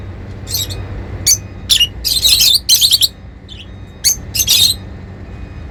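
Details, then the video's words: Lovebirds give sharp, high chirps and squeaky chatter in quick bursts, some overlapping, with a low steady hum behind them. "Happy lovebirds making sounds"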